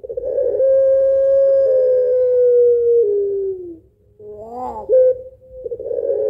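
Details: Puter pelung dove singing its long, rhythmic lure coo: a steady tone that gradually falls over three seconds, a pause, a brief warble, then another coo beginning.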